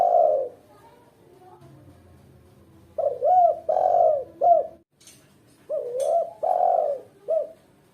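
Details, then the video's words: Female spotted dove calling, used as a lure and training model for other doves: deep mellow coo phrases, each a rising double coo, a long drawn coo and a short final coo, two full phrases after a trailing coo; faint clicks between. "Suara tekuku betina gacor jos buat pancingan dan masteran pemula"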